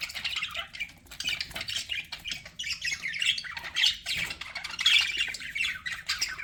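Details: Budgerigars kept as pets chattering steadily, a busy mix of scratchy warbles and short chirps that rise and fall in loudness without pause.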